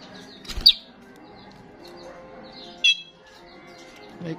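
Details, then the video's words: Frequently singing starling, played as a lure for starlings: a piercing squeak followed two seconds later by a short harsh, ringing burst, with soft chatter and a steady hum between. "Attract starlings ‼️ sound of the gacor starling every time"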